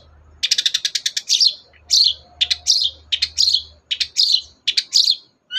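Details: Long-tailed shrike in lively voice, played to push a reluctant shrike to sing: a fast volley of dry ticking notes followed by a string of buzzy, scratchy phrases repeated over a low hum.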